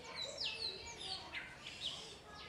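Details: A Long-tailed Mockingbird watching a small dog imitates a cat to make it bark, giving a quick jumble of high slurred whistles and sharp chirps, several notes sliding steeply downward.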